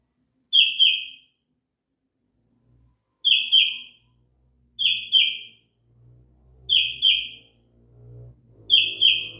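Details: Sooty-headed bulbul, in a recording called kutilang isian: short, bright two-note phrases, the notes slurring downward, repeated about every two to two and a half seconds with silence between. A faint low rumble enters near the end.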